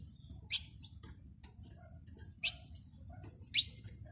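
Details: European goldfinch chirping: three sharp, high, clipped chips spaced one to two seconds apart over a steady low background hum.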